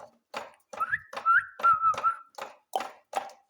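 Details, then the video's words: Young ringneck parrot mimicking speech, with choppy, raspy syllables around a sustained whistled note that wavers and then drops. Short word-like bursts follow at an uneven pace in a small indoor space. "sweet ringneck parrot talking"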